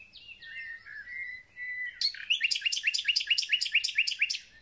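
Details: Thrush nightingale singing a spring concert as spring begins: drawn-out falling whistles, then a fast, evenly repeated series of sharp notes about ten times.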